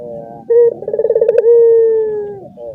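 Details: Caged Barbary dove cooing as other doves in the same cage join in: a short clear note, then a quick rolling trill, then a long steady hoot that slowly falls away, all low and mellow.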